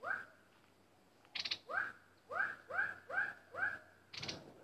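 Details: Decoy bulbul kept in a cage to attract wild birds, giving a series of six rising whistled notes about every half second, punctuated by dry clicking bursts over a faint hum.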